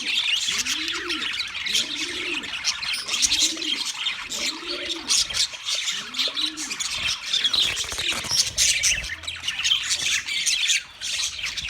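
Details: Wild budgerigars chatter in a dense, high twittering mass, while a dove-like bird gives about five evenly spaced low coos, roughly one per second, in the first half.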